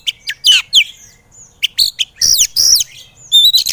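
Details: White-rumped shama, a kacer recording used as training material to make lazy birds sing, in an energetic style: loud separated whistles and sharp downslurred notes, then buzzy rasping phrases and a rising whistle near the end.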